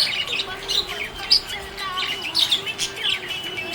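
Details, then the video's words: Budgerigar described as happy, chirping: quick bright chirps and short warbled notes, in bursts roughly every half second, with a faint steady tone underneath. "Happy budgie chirping sound"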